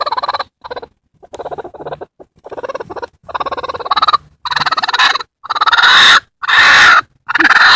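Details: Broody bantam x bearded silkie hen guarding her eggs and warning a person away, making harsh raspy growling bursts that grow louder and longer, roughly once a second, ending in screechy grating squawks.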